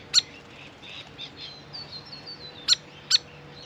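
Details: Grey fantail visiting a birdbath: three sharp, high snapping chip notes, one near the start and two close together near the end, with faint thin squeaky twitters between them.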